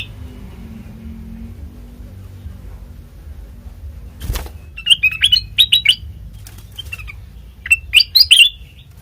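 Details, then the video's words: Sooty-headed bulbul lure song, used to draw replies from other bulbuls: after a quiet stretch and a sharp thump, clusters of loud, high chirpy notes in two bursts, around five to six seconds and again near eight seconds. "Suara khas Pancingan Kutilang Bahan"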